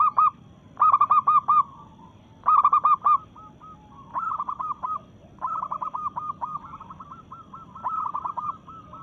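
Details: Zebra dove of local stock in breeding condition, song used to challenge rival males: bursts of four to six rapid, rolling coo notes, repeated roughly every one to two seconds, later runs longer and more continuous.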